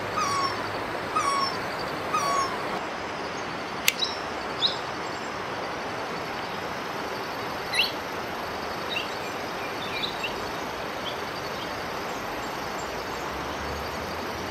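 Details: In Himachal Pradesh, India, a great barbet gives three loud, mewing notes about a second apart, then thin high chirps from small birds follow over steady rushing background noise.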